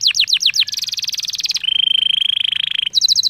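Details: Canary lure song intended to set other canaries singing: quick falling chirps lead into a dense buzzing trill, then a long, even rattling roll, ending with fast high repeated notes.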